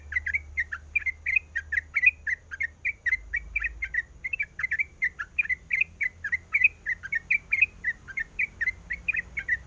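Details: Sooty-headed bulbul female, in breeding condition, calls to attract a male with a long, even series of bright clipped chirps, each a quick up-and-down slur, repeated several times a second with a soft low rumble behind.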